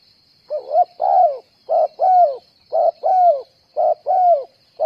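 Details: Decoy spotted dove for trapping, cooing briskly: about four phrases, roughly one a second, each a short double note and a longer downslurred coo, with a continuous high hiss.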